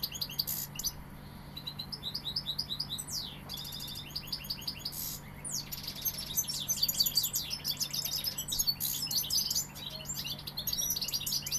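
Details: Long bout of European goldfinch song, Sevillian style: tumbling high tinkling notes, quick slurred chirps and buzzy rattles delivered almost without pause, over a constant low electrical hum.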